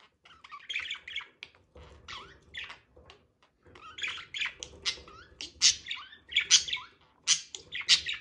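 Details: Budgerigar pair mating, giving twittering chatter of short buzzy squawks and thin chirps, grouped in bursts that grow louder and sharper toward the end.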